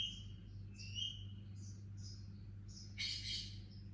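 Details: Baby Indian ringneck parakeet chirping softly: thin, slightly rising high chirps in a loose series, then a louder, brighter burst of chatter near the end, over a steady low hum.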